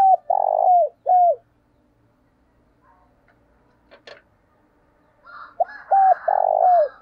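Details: Lure spotted dove calling: a run of loud arched coos, a long quiet gap with faint clicks, then another series of coos, one drawn out and buzzy.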